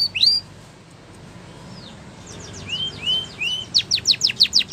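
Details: Spanish Timbrado canary song for canary training: scattered soft upslurs and falling whistles over background hiss, then a clearer burst of loud rapid descending strokes at the end.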